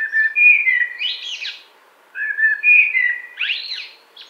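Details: Spring woodland song of a common blackbird, 2017: two mellow fluted phrases separated by a short pause, each opening with low whistles and ending in a rising, scratchy flourish.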